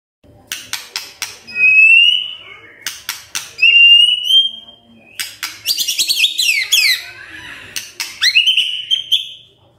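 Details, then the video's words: Murai magpie-robin song used to provoke singing: dry clicking rattles between long rising whistles, then a burst of tumbling chattering notes and another rising whistle. "Pancingan Murai Gacor"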